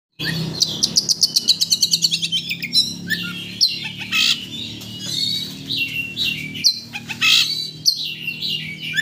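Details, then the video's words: White-rumped shama song used to provoke a caged shama into emotion and singing its full repertoire: a fast run of about a dozen rapid repeated high notes, then varied whistled phrases, rising sweeps and harsh squawky notes, with a low hum beneath. "Pancingan Kacer Untuk Menaikkan Emosi Agar Mau Bongkar Isian"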